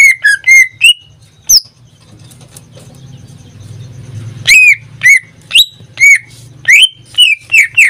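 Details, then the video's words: Pet greater green leafbird giving quick whistled chirps, then falling silent for about three seconds while a low hum swells, before resuming with rapid bright repeated notes. "Suara cucak ijo"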